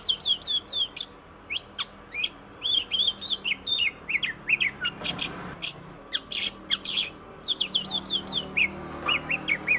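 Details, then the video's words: Oriental magpie-robin (kacer) training song used to teach and stimulate other songbirds in Indonesia: rapid, high sweet whistles and chirps in quick varied phrases, some buzzy notes, continuous and loud. "MASTERAN KACER (PANCINGAN BURUNG KACER)"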